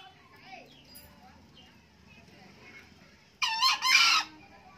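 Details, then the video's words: An aged male green junglefowl, described as an eager crower, gives one loud raspy crow in two joined parts after quiet murmuring voices and faint background noise. "ayam hutan hijau pak tua rajin kokok"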